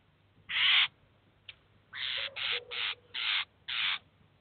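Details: Eurasian jay with chicks at a cheese feeder, filmed in 2019: six harsh, rasping screeches, each a short noisy burst, the first louder and set apart, the rest following at roughly half-second gaps, with a faint lower drawn tone beneath some.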